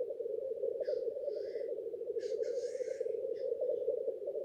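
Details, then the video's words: Male black grouse at a lek in courtship display, a steady bubbling, cooing chorus running throughout, broken by several hissing, sneeze-like bursts. "Black grouse lekking behaviour"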